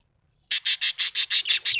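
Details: A happy budgerigar gives a fast, even series of eight harsh, high scratchy chirps, each short and evenly spaced in under a second and a half.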